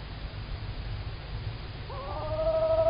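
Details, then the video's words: Female tawny owl calling very close on an evening in Estonia, 9 March 2019 at 19:16, from a live camera: a hoarse, wavering, tremulous note begins near the end over steady low background rumble. "Tawny Owl - Female Owl is calling very close"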